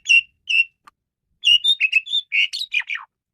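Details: A male Asian pied starling sings its varied lure song: two clear whistled notes, a pause, then a quick rising and falling series of whistles ending in harsh downslurred squawks.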